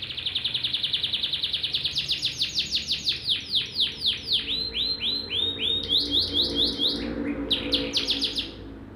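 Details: Canary in energetic 'gacor nembak' song: loud rising whistled notes repeated about twice a second, then sweeping slurred phrases and brief chattering trills, the phrase slowing near the end.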